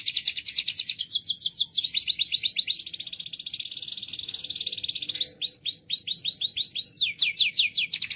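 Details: Canary singing loudly and continuously, switching between fast high trills and rows of downslurred notes.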